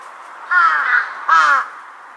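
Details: Large-billed crow answering distant calls, recorded 2 September 2022: a long hoarse caw with a second swell, then a shorter harsh caw, both loud and close against a constant hum.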